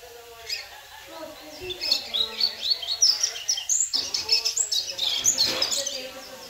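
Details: Ten-month-old double-collared seedeater kept as a caged bird in the United States, delivering fast, high twittering song phrases of quick chirps that grow louder midway, with a faint low murmur in the background.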